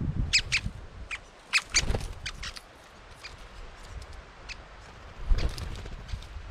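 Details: Great spotted woodpeckers, young birds (chicks), giving sharp, high clicking notes in quick bunched bursts, then scattered, over a low rumble and a few muffled knocks.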